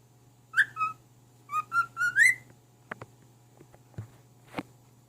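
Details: Talking cockatiel singing tunes such as "If You're Happy and You Know It" to its mate, who stays unimpressed. Clear whistled notes step upward in a short phrase, followed by scattered soft clicks and taps over a constant low hum.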